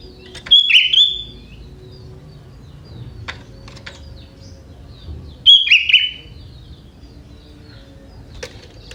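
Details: Young wild sooty-headed bulbul from forest, its song holding prinia-style phrases: two whistled, bubbling bursts about five seconds apart, with scattered clicks and light rustling in between.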